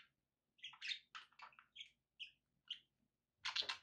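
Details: Budgerigar chirps indoors, a series of short bright whistled notes spaced about a quarter second apart, ending in a louder scratchy squawk, with soft hum behind.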